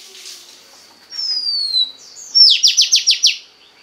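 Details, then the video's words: Oriental magpie-robin hen singing to rouse a male bird: a long thin whistle gliding gently downward, a short pause, then a quick burst of six sharp, repeated downslurred notes. "Choè than mái kích trống hay nhất"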